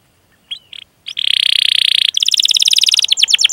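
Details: Canary in rolling cuit-cuit song meant to coax other canaries. A few soft chirps precede a steady buzzy sustained note, which breaks into a rattling trill of rapid notes.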